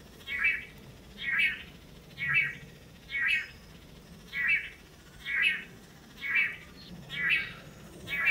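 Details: Long-tailed Manakin males displaying on a lek before a female in Costa Rica, taking turns in pairs: buzzy, nasal mid-pitched notes repeated steadily about once a second over a soft low forest hum.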